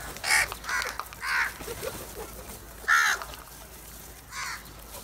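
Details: Flock of black crows attacking cheese: loud rasping caws in quick succession, three close together then two more spaced apart, with softer background murmur.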